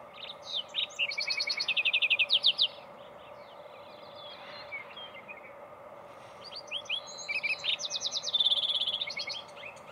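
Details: Lark sparrow (Chondestes grammacus) song at Sandstone Ranch, Longmont, Colorado, on 20 June 2020, in two bursts: jumbled high notes, rapid buzzy trills and churring phrases over a steady background hum.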